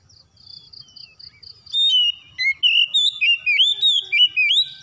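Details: Oriental magpie-robin in a recording meant to make a silent bird sing; a string of evenly repeated high beeping notes gives way to loud, rich whistled phrases with swooping, slurred notes, about one per second.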